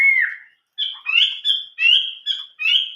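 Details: Chinese hwamei song in a wild-forest style: a loud falling whistle, then a rapid series of high, bright, warbled phrases repeated every few tenths of a second.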